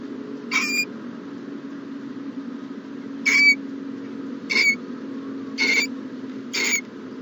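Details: Morning at an owl nest box: five short, raspy, breathy bursts spaced one to two seconds apart, against a faint steady hum.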